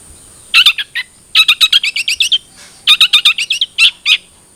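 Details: Cendet trotol, a long-tailed shrike, played as a lure to bring a captive bird into song: rapid runs of harsh, chattering notes in three bursts, with short pauses between them.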